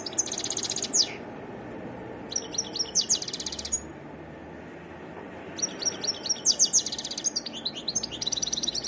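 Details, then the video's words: A wild European goldfinch sings a varied song in three bursts of fast, tinkling, high-pitched twitters and buzzy trills, with short quiet gaps between phrases and a low background hiss throughout. "تغريد حسون متنوع"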